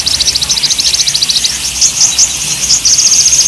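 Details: Olive-backed sunbird, a male used for mental-training playback, giving a rapid high trill of repeated buzzy notes, breaking into scattered sharp chips, then resuming a steady fast rattle.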